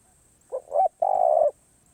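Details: Spotted dove in karom pa roi song style, said to be singing off cue: one phrase of two brief rising coos followed by a drawn-out, even, low crooning note, with a quiet background.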